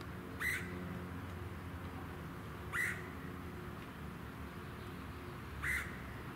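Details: Red-headed Woodpecker recorded in June 2019 at Ludington, Michigan, USA: three short, rasping calls repeated every two to three seconds, with a constant low suburban hum underneath.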